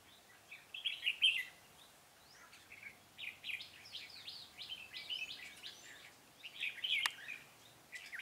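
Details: Trapping session for red-whiskered bulbuls, 'Cánh bướm' type, 13 March 2017: a run of quick slurred whistled notes forming lively phrases, one loud burst early, then steady chattering with a sharp click near the end.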